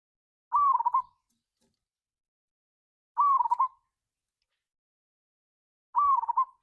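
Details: Local zebra dove, kept as a lure to stir other doves to sing, in the ngayer kerot nutut style, recorded 16/6/25: three mellow, trilling coo phrases, each rising then rolling, repeated about every two and a half seconds against silence.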